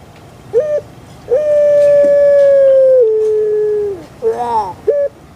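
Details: Puter pelung dove kept in Java, Indonesia: a short note, then a long, level coo that steps down partway through, followed by a quavering phrase and one final short note.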